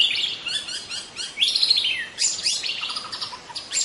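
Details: Wild young White-rumped shama in forest pours out a dense, fast medley of high chirps, trills and downward-sliding whistles, with a softer lower warble near the end.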